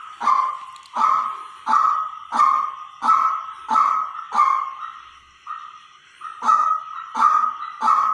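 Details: White-breasted waterhen decoy call: loud, nasal, hollow notes repeated steadily about every 0.7 seconds. Brief softer notes come midway, then the steady series resumes.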